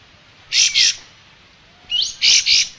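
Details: Striated grassbird song, used for training cage songbirds: two pairs of loud, bright double-note bursts, the first led by a slurred falling whistle, the second by a quick rising whistle, over a faint low hiss.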